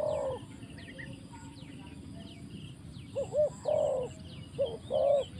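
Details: Spotted dove decoy on the ground in a trapping setting. One coo opens the clip, then after a quiet gap a quick pair of short notes leads into a longer coo, repeated twice more, over a faint hiss and distant chirping birds.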